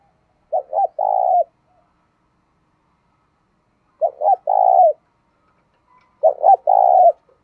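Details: Spotted dove used as a lure bird to attract wild doves, cooing in three phrases about every 2.8 seconds, each two short rising notes then a longer rolling coo, with silence between.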